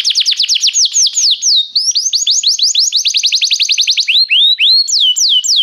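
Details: Canary singing restlessly: a rapid rolling trill of rising syllables, a brief pause, another fast run, then slower looping whistled notes repeated about twice a second.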